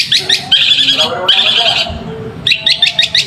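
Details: Long-tailed shrike singing as a lure to provoke lazy shrikes into answering: bursts of harsh, rapid, buzzy repeated notes, with short gaps between the fast chattering runs.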